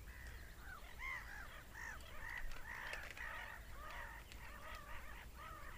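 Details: Screaming seagulls, many short nasal calls rising and falling in quick succession, overlapping one another, with a constant low background roar.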